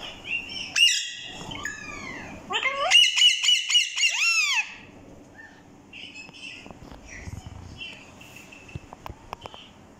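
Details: Pair of Kashmiri Alexandrine parakeets kept as pets, calling and whistling: loud harsh squawks near 0.8 s, then a burst of rapid repeated screeches from 3 to 4.5 s, followed by softer chattering notes and faint background noise.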